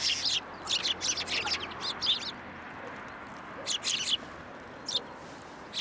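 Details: Sparrows at a feeding post in a Tenmangu shrine on 2 January 2023: an opening flurry of quick chirps, a short lull, then further bursts of twittering and a final lone chirp.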